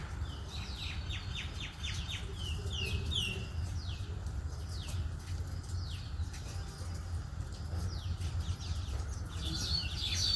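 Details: Baya weaver chirping in forest: bursts of quick, high, downward-sweeping chirps, clustered early and again near the end, over a steady low rumbling background.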